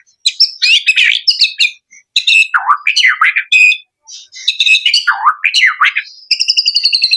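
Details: Male white-rumped shama singing a rich, varied song of swooping whistles, sharp upslurred and downslurred notes and brief trills, in bursts separated by short pauses, ending with a rapid high buzzy rattle.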